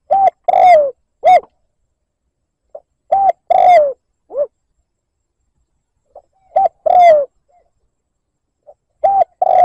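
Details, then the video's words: Decoy spotted dove giving liêu lỡ coos to rouse wild rivals: three phrases about three seconds apart, each a quiet lead note, a short coo, a long falling burry coo and a closing short coo. "Tiếng mồi cu gáy liêu lỡ gáy gù kích bổi"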